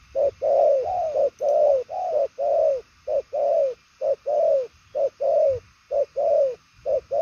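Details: Loud, rich cooing from a purple-legged spotted dove known for strong, speedy coo patterns: hollow downslurred notes, short and long mixed, delivered in a rapid steady run.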